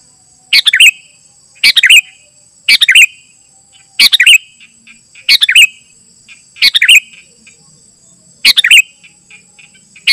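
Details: Sooty-headed bulbul (Pycnonotus aurigaster) song, used to call in wild bulbuls and as a tutor for captive birds: short, bubbly phrases of a few bright notes repeated every second or so over a faint steady high hiss.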